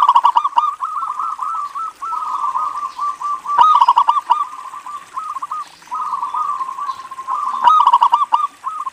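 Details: Local zebra dove singing almost nonstop to lure other zebra doves. Continuous, bubbling, rapidly pulsed trills, punctuated twice by louder clicking bursts.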